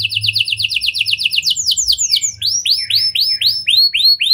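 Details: Canary lure song in lovebird and prenjak style for stirring other canaries: quick chains of high downslurred notes turning into slower, rising, arched whistles about three per second, over a faint low hum.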